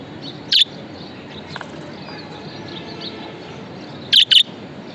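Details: Pet budgerigar with one sharp, short chirp early on, a long stretch of quiet hiss and faint murmuring chatter, then a closing double chirp, harsh and bright.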